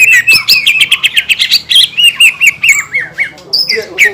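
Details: Green leafbird in full song, used to provoke other green leafbirds: rapid run of sharp whistled and chattering notes around two repeats per second, some sliding and falling, with high clicks above.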